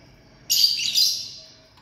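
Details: Lovebird from a family group giving one loud, harsh, high screech lasting nearly a second, rising in intensity then fading, against near silence.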